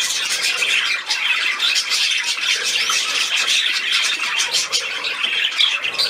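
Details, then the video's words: Playing budgerigar on 13 December 2019 keeps up a rapid, scratchy warble of squeaks and short chirps, thick and continuous, broken by one brief dip near the first second. "Der Wellispielfilm"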